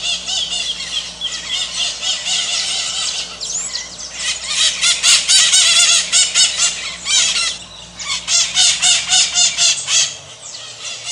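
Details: Continuous strident squawking from a group of maritacas, rapid rasping notes around four per second rising and falling in loudness over a faint hum.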